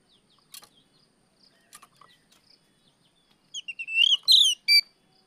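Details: Oriental magpie-robin singing in the afternoon in the riwik plong style, used as a lure for untrained birds; faint scattered chirps, then a burst of loud, sharp, rising whistled notes with ringing overtones near the end.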